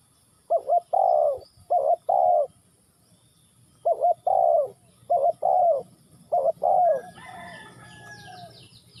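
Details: Spotted dove in Ninh Thuận calling in three paired phrases: short doubled coos leading into a drawn-out slurred coo, with pauses between phrases and small high chirps from other birds at the end.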